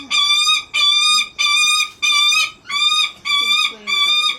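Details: Captive Lanner falcon at a bird park in Japan, calling sweetly while seeking affection from a favourite keeper: loud harsh repeated notes, each about half a second long, given at a steady rate of roughly one and a half per second.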